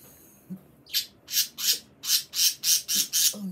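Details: Pet bird calling live at home, which its owner describes as talking: about ten harsh, broadband squawks in quick succession, roughly three per second, with faint room noise.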